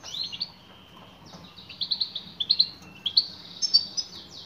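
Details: Calling female European goldfinch addressing a male: quick bursts of sharp, high tinkling chirps, paired and tripled notes, growing busier toward the end over quiet low hum.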